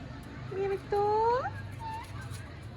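A ring-necked parakeet talks in a high, nasal voice: three short tonal syllables, the middle one long and rising, within two seconds, over a low background hum.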